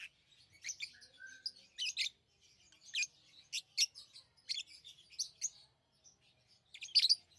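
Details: High scratchy chirps from pet lovebirds, irregular harsh notes every half second or so, brief softer twitters between, a loud shrill double burst at the end.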